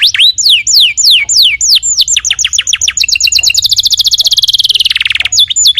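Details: Actively singing canary, used as a lure to make another canary answer. Sharp descending whistled sweeps about four per second give way to a fast, even high trill, one lower buzzy sweep, then clipped closing whistles.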